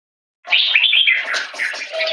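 A leafbird pours out a fast, unbroken run of bright, high chirps and twittering warbles, starting after a brief silence and continuing without pause.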